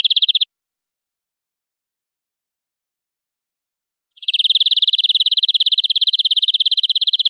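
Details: European greenfinch song made of fast, rattling trills. A brief trill is followed by about four seconds of silence, then a long continuous trill of rapid buzzy pulses. No other sounds.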